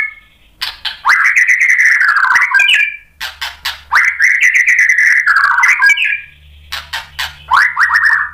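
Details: White-rumped shama singing energetically, used as a lure to make other shamas sing: long rich whistled phrases with trilled, stuttering notes, interrupted by sharp noisy clicks, with pauses between phrases and a faint low hum.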